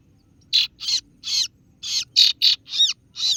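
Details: Kaso-kaso bird (singo barong) 'ciet ciet' rival call: about eight harsh, hissy notes in an uneven run, some carrying a bent whistled overtone.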